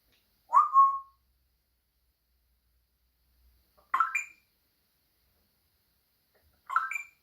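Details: Captive African grey parrot producing three separate whistled calls spaced about three seconds apart, the later two stepping upward in pitch, with near silence between them.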